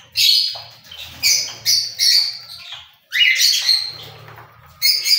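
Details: Cockatiel giving loud, harsh screeching squawks in four bursts, each about half a second long and separated by short pauses, over a faint low hum.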